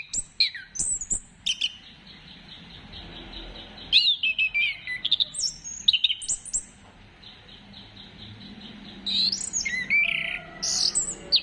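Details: Orange-headed thrush lure song to make other birds sing: bursts of varied, high whistled and twittering phrases separated by short quieter gaps, ending in a busy, loud flourish.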